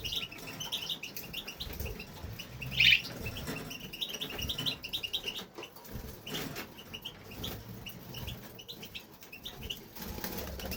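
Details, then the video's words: Male European goldfinch singing nonstop in a home aviary: a rapid run of bright twittering chirps and trills, with one louder note near three seconds, over a background of rustling and scuffling noise. "Amazing European goldfinch"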